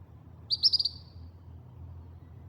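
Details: In Yucatán, Mexico, a Couch's kingbird gives a quick run of four or five high, sharp chattering notes that trail off into a thin buzz, over a low background rumble.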